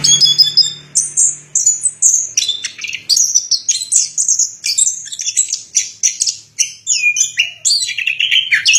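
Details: Song of the orange-headed thrush (anis kembang), Indonesia: three quick high notes open, followed by busy, chattering warbles and slurred whistles that drop lower toward the end.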